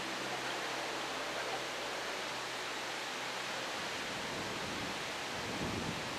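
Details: A steady, dense rush of broadband noise like a waterfall or fast stream, with no calls standing out above it.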